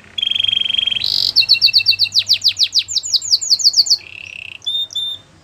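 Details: Singing canary on a training song: a sustained buzzy trill, a sudden bright burst, rapid sweeping whistles, a low buzzing roll, then clear short whistled notes.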